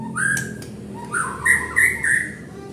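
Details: White-rumped shama lure song for provoking song: a sharp rising whistle, clicks, then several loud clear whistled notes in a rhythmic run.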